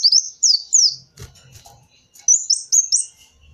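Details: Kolibri wulung sunbird as a lure sound: a few bright, descending squeaky notes, a second of soft rustling, then three more thin, high notes rising slightly.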